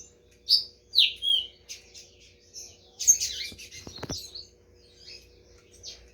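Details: Green-winged saltator at a Brazilian song competition giving three loud, clear, slurred whistles, then quieter high chirping with other birds calling and a few knocks in the background.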